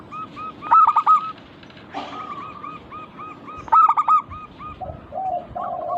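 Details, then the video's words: Local zebra doves used as a lure to prompt other doves to sing: overlapping series of short, hollow cooing notes, with loud stuttered coo bursts near one second and near four seconds. A lower dove answers toward the end. "Burung perkutut lokal Pancingan agar cepat bunyi cepat manggung"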